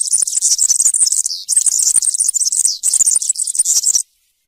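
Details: European serin in 'campero' song style, a sequence for tutoring juveniles: high, tinkling, buzzy phrases tumbling quickly in three long bursts separated by brief dips, ending abruptly in silence.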